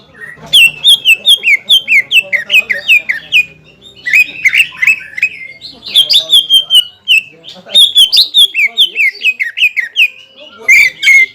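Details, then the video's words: Provoking song of a greater green leafbird aimed at a rival: busy, bright phrases of short falling whistles and chips, delivered in fast clusters with brief pauses between bursts. "PANCINGAN CUCAK IJO GACOR BIKIN HYPER CUCAK IJO LAWAN LANGSUNG JAMTROK DAN PANAS"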